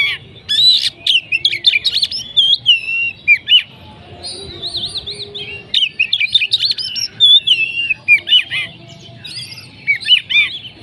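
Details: Song of an Oriental magpie-robin: energetic mixture of clear slurred whistles, buzzy trills and quick chip notes in a continuous varied stream, with brief gaps and low background noise.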